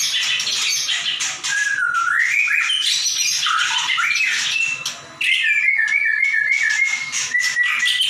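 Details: Caged white-rumped shama singing loudly in full voice: dense buzzy, scratchy phrases mixed with sliding whistles, then a long stretch of rapid repeated chirping notes held at one pitch.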